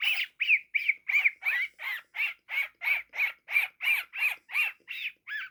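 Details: Rapid, steady string of about sixteen raspy squawks from a baby pet cockatiel, roughly three per second, each short and harsh with a slight rising-falling inflection, the last note dropping lower.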